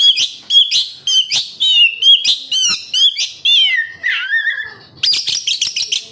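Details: Oriental magpie-robin song used to make captive magpie-robins sing more: dense, rapid chipping notes, a long downward-sliding whistle, then a burst of harsh, buzzy chatter.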